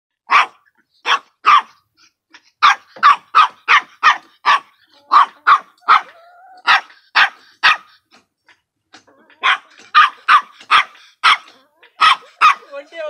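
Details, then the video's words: Rhode Island Red chicken with a coughing cold, sounding like a dog: harsh bark-like coughs in bursts of three to six, about two per second, with short pauses between bursts; a faint squeak near the middle. "Rhode Island Red sounding like a dog."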